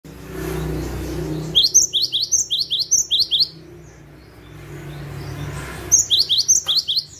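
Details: Cinereous tit song, known locally as gacor singing, used as a lure to attract birds: a fast run of about ten sharp, high, downslurred whistled notes, then a pause and a second burst, over low background rumble.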